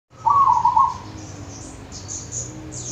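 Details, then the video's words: Wild local zebra dove from the countryside of Wonogiri, giving one short, rapid, trilled cooing phrase around mid pitch. Faint high chirps from other small birds follow over a low background rumble. "Suara perkutut lokal dari alam Wonogiri"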